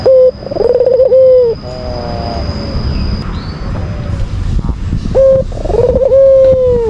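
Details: Albino Barbary dove, a bird kept for its voice, giving provoking lure coos aimed at rivals: two loud sustained coos, each opened by a brief clipped note. Softer layered tones and a low rumbling background fill the gap between them.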